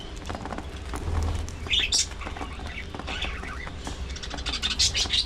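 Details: Budgerigars at early morning feeding time give scattered short high chirps and squeaky notes between stretches of quieter shuffling, over a steady low hum.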